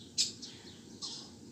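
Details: A Common Pheasant hen gives three brief, high, thin chirps within about a second and a half against a quiet rural hush. She had flown onto a garden plot with her chicks, lost contact with them as they scattered, and is calling to find them.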